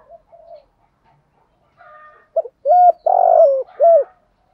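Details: Spotted dove cooing, male and female, used to spur birds into contest calling; soft faint coos lead into a louder run of short hooked notes and a long rough-edged coo, then a final falling note.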